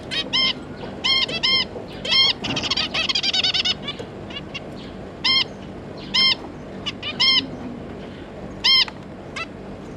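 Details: Zebra finch pair with three juveniles, 9 June 2022: loud, nasal, honking call notes repeated at irregular intervals, mostly in pairs, with a short burst of chatter near the start.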